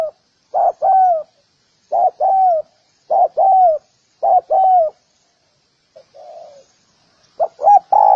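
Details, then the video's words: Recorded for training birds, a spotted dove repeats paired coos in quick succession: a short note, then a longer falling one. A softer, muffled coo comes near the end, against silence. "សម្លេងសម្រាប់បង្ហាត់លលកច្បាស់ល្អ / Sound of Spotted dove"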